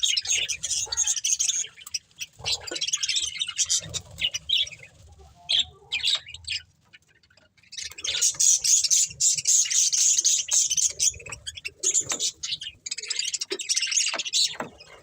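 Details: Breeding pair of budgerigars chattering: rapid, high, scratchy chirps and warbles in long bursts, a short quiet gap midway, then sustained loud chatter again.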